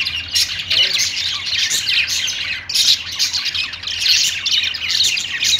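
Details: Several kept budgies singing from a perch, giving busy, high-pitched twitters and scratchy squawks in bursts that swell and fade every second or so.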